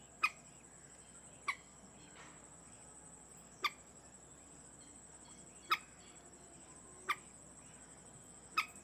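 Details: Nesting Indian moorhen sitting on five speckled eggs among reeds in a garden wetland, New Delhi, India, giving brief sharp single notes every one to two seconds, six in all, with a constant high-pitched hum behind.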